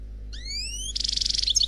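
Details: Brief Khalwi-style phrase from a single, unpaired male European goldfinch on CD: a long, thin, rising whistle that gives way to a fast buzzy, pulsing trill.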